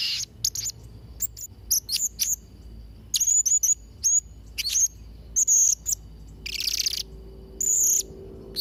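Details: Blue-crowned hanging parrot in energetic chattering song: dense runs of shrill, high squeaks and short whistled slurs, some notes held longer and buzzy, nearly continuous throughout.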